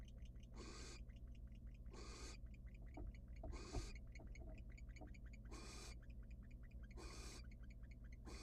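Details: Barn owls in a wild nest box: the male comes back with no food and the female ignores him. Long rasping hiss-screeches recur every second or so, separated by quieter clicking, over a steady low hum.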